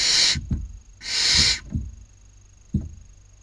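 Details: Barn owl chicks competing for food in a nest in Cabañeros National Park, Castilla-La Mancha, Spain, 2019 breeding season. Two loud, breathy hisses come in quick succession, followed by dull thumps and shuffling.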